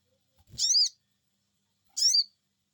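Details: Sogon bird responding to a lure, giving two sharp, high, rising-then-falling squeaky 'cuiit' calls about 1.5 seconds apart, the first preceded by a soft low thump.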